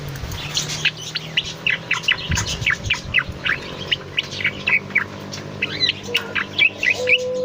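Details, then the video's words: Bulbul known as cucak loreng, singing keenly in a master or lure recording; a dense stream of thin whistles and chirps with a steady low hum beneath. "Suara has burung CUCAK LORENG rajin berkicau"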